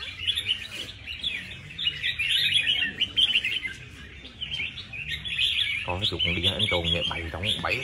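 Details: Red-whiskered bulbul kept as a competition bird with a prize-winning record: a dense run of bright, fast chirping and warbled phrases, overlapping with similar birds, and a man talking over the last two seconds.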